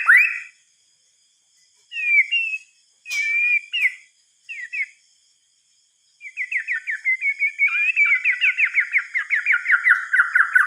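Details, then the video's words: Singing at night, a white-rumped shama gives short, separated whistled fragments with pauses between them. It then launches into a long, fast series of rhythmic, slurred notes that gradually drop in pitch. "Suara Kicauan "MURAI BATU" di Malam Hari"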